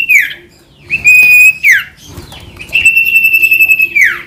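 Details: Ashy tailorbird (sirtu) singing hard as a lure for a silent common iora: a falling note, then a bright level whistle ending in a downward slur, and after a short pause a long steady trill that also slides down.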